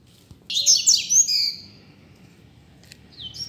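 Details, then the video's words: Double-collared seedeater, a free-flying bird singing on a street, used as a tutor song for learning: a fast burst of high, twisting whistled and buzzy notes lasting about a second, then quiet with faint low background rumble. "COLEIRO SOLTO NEM SABE PRA ONDE VAI!!! Dando Show na Rua!!! - Coleiro Professor Aprendizado"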